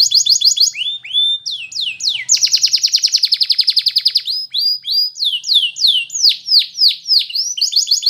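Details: A Belgian canary delivers rolling trills, rising whistled slurs and a long rapid pulsed roll, followed by loud sweeping downward notes repeated about once every half second and a closing trill.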